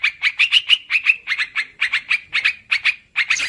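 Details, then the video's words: Yellow-vented bulbul lure call for trapping, noisy and long: clipped, bubbly chattering notes repeated steadily about four times a second, each with a brief liquid inflection, ending in a harsher burst. "Suara pikat burung trucukan ribut durasi panjang"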